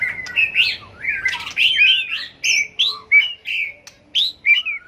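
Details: A White-rumped shama, flicking its tail, sings a competitive fighting song to excite other birds: dense, slurred warbling at first, then separate bright whistled phrases, some sharply rising, with brief gaps.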